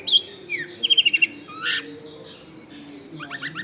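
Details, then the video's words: Long-tailed shrike song used as a lure for wild shrikes, recorded in a crowded residential area: loud high whistled slurs, a quick run of five sharp notes, a harsh burst, then softer chattering phrases. "SUARA CENDET GACOR AMPUH BUAT PANCINGAN CENDET BAKALAN"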